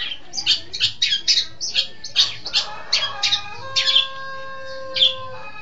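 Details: Long-tailed shrike tutor song for training birds: rapid harsh, grating bursts delivered in short clusters, later thinning out as steady thin whistled tones from other birds sit in the background.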